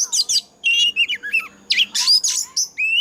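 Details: Oriental magpie-robin 'già rừng' wild-style fighting song, used as a decoy for training birds; short bursts of high whistles and scratchy notes ending in a clear rising whistle.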